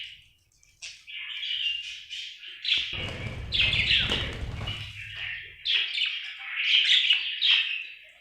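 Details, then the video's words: Happy budgie warbling fast, rapid rasping chirps and squeaks running almost without pause, over a low rumble of background noise in the middle section. "Happy budgie chirping sound"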